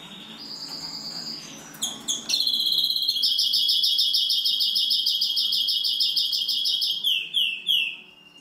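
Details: European greenfinch x canary hybrid opening with soft twittering, then bursting into a long, loud, rapid trill of repeated high notes, about three a second, finishing with descending slurred whistles.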